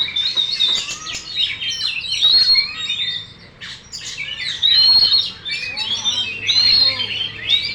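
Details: Caged Oriental magpie-robin, a contest champion, singing with its tail fully spread: a rich, varied run of sharp whistles, buzzy trills and quick chirps, with short pauses near the middle and a faint background murmur.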